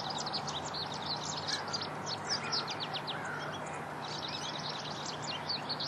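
An American goldfinch sings a rapid, run-on string of high, thin twitters and short slurred notes over a steady background hiss and a low hum.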